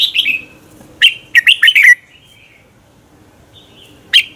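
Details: Competition-style morning song from a red-whiskered bulbul used to stimulate other birds: a short warble, then a rapid run of four or five bubbling notes, a quiet gap and one final sharp note.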